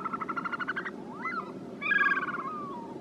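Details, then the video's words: Caspian snowcock delivering a quick burst of stuttering notes, then a wavering rising whistle and a loud, long whistled note that slowly falls away. "Urkeklik » Caspian Snowcock » Tetraogallus caspius"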